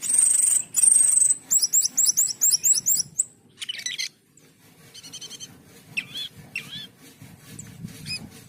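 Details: Jalak keling, the Asian pied starling, opening with long high whistles, then a quick run of repeated rising whistled notes, followed by quieter scratchy chatter and a few sharp upslurred calls over a low background hum.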